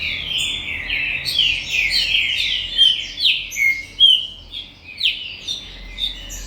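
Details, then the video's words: Galador-type green-winged saltator song from a commercial breeding farm: fast strings of bright, downslurred whistles that start dense, then thin into separate emphatic notes roughly every half second toward the end. "TRINCA FERRO DE FIBRA -GALADORES-"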